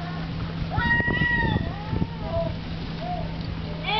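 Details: Herring gulls at Riga Zoo, Latvia, around a pool where fish were sunk deep so only cormorants could reach them; a few short harmonic, mewing calls, some slurred downward, over a steady low hum and background noise.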